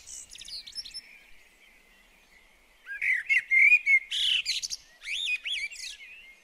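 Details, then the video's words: Garden blackbird singing near a bird table: quiet twittering at first, then after a pause a loud phrase of fluty, slurred whistles, with high chips and upward-swept squeaks. "Garden Birds Singing The Blackbird"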